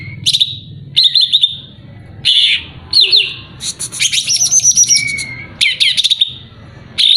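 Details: Lure song of a greater green leafbird meant to stir up a rival: loud chattering bursts and high whistled slurs mixed with rapid trilled notes, delivered in quick repeated phrases.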